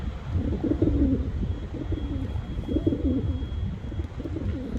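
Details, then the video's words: A pigeon gives low, throaty, rolling coos in bursts about every second, over a soft low rumble. "Pigeon Sounds"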